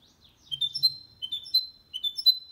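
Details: Goldfinch × canary hybrid singing a clean, error-free song meant to stimulate males to sing and to teach young birds. Three bursts of bright whistled notes, each a short run of sliding high tones, come at roughly evenly spaced intervals.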